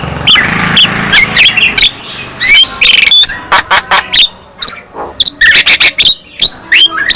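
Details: Black-winged myna song with harsh grating squawks, sharp whistled notes and quick chattering clicks in irregular bursts, with a faint low hum underneath; it is meant to make other black-winged mynas join in singing.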